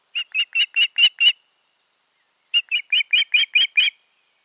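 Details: A pair of Ospreys at their nest on 14.6.2019, one bird giving six quick high piping notes, a pause, then a run of eight slightly rising chirps.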